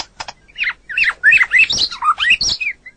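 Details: Training recording of a white-rumped shama: quick squeaky, slurred notes and chattering phrases, rising and falling rapidly over about three seconds.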